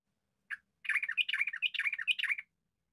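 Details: Yellow-vented bulbul giving a long, rapid chattering song of the ropel style, used as a lure to spur young birds to sing: a dense, bubbly run of warbled notes lasting about one and a half seconds after a short opening chirp.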